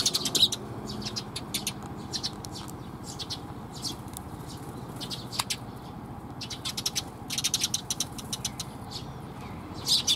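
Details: Sparrows gathering at a Tenmangu shrine to be given food: clustered bursts of short, high, sharp chirps and twitters, the busiest near the start, middle and end, over a steady low rumble of traffic.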